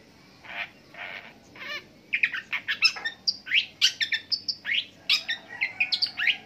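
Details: Long-tailed shrike in a long continuous song imitating various birds: a few rasping notes, then a rapid stream of varied sharp chirps, whistles and trills of shifting pitch, one after another with barely a pause.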